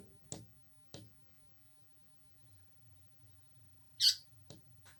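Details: An Indian paradise flycatcher (Terpsiphone paradisi) inside a house gives a single brief, harsh, rasping call among a few sharp indoor clicks and knocks.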